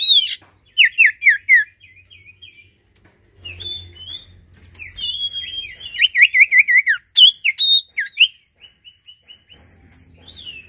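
A lively songbird pours out varied high whistles, fast chattering trills and sliding notes in bursts with short pauses, over a faint low hum.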